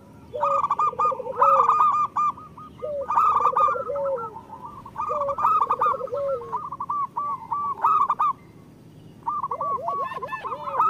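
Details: Local zebra doves cooing as a chorus, meant to coax lazy birds into singing. Bursts of fast stuttering coos with lower rolling trills come in four groups separated by short quieter pauses.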